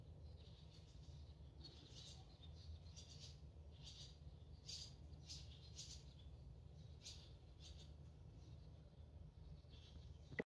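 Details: Young barn swallow, just fledged this morning from a provided nest and found in a garden, gives soft, sharp, high chirps in irregular runs of one to three notes against constant low-pitched hum.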